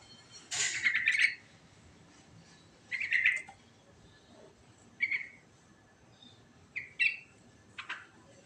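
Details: Trucukan, the sooty-headed bulbul, in rolling 'ngerol' song: one long bubbly chattering phrase, then progressively shorter bright fragments spaced about two seconds apart, with faint background hiss.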